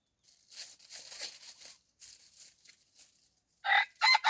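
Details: Red junglefowl crowing during decoy luring of wild junglefowl: a loud, harsh, broken crow in two bursts near the end, after a stretch of faint rustling and scratchy noise.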